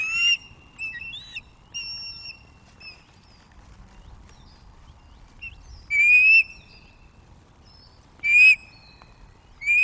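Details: Courtship at an osprey nest on the Loch of the Lowes webcam, 2024. The female begs for food while a young male brings fish. Piercing whistled notes come singly and in short clusters, with long quiet gaps between.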